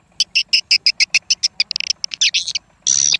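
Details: Swiftlet calls: a fast series of sharp, high clicking chirps, about six per second, then a quicker jumbled burst and a final harsh buzzy note.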